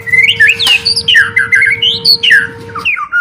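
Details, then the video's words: White-rumped shama song used as a lure to prompt stressed or reluctant birds to sing: rich, varied whistled phrases sliding up and down, with sweeping notes and quick flourishes, over a steady electrical hum and a low rumble. "Suara Burung Murai Batu | Pancingan Atasi Stres Malas Bunyi Cepat Respon"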